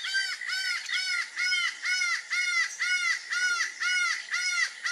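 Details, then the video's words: Laughing falcon, known in Brazilian folklore as the acauã with its bad-omen song: loud arched, harmonic-rich notes repeated about twice per second, roughly ten in a steady series, over a faint background of insects. "ACAUÃ e seu canto de mau-agouro"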